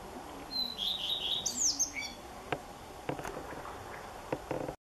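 A common redstart sings one brief, high, twittering phrase that falls away, followed by a few sharp dry clicks against a soft background hiss.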